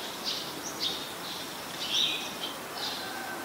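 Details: Ashy woodswallow, a very common resident, recorded on 14 December 2019 in Ubon Ratchathani, Thailand: four or five short, harsh, high bursts spaced irregularly, the loudest near the middle, over a steady background hiss.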